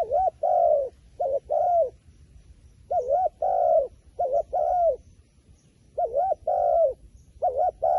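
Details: Coos from a wild pigeon come in bursts of two-part phrases. A quick wobbly note leads into a longer, drawn-out coo, with pauses between groups and faint low background noise.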